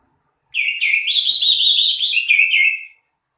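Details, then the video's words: Greater green leafbird song, played to make other leafbirds sing readily: a continuous warbling run of rich, rapidly modulated whistled notes lasting about two and a half seconds, slightly falling at the end, with no other sounds. "suara burung cucak ijo"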